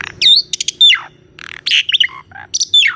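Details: Asian pied starling master song with varied fills: sharp whistles falling steeply, harsh broad buzzes, short chirps and clicking notes, delivered in quick bursts.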